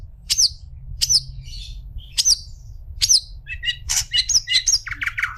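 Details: Long-tailed shrike kept as a tutor for other shrikes: four sharp, downward-sliding notes about a second apart, followed by a quick mix of varied chirps and twitters, with a low hum.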